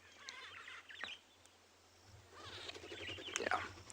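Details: Greater blue-eared starlings, come down in groups in the heat of the day to drink at a small pan on Tswalu Kalahari Reserve, South Africa, in July, calling all around in two bursts of nasal, squealing chatter over a steady low engine hum.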